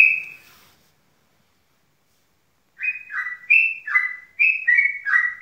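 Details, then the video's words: Yellow-vented bulbul song: after a brief note and a pause, a run of loud, clear whistled phrases. Each phrase is a bright note dropping to a lower one, repeated about three times a second. "Suara Trucuk Ngeropel, Gacor"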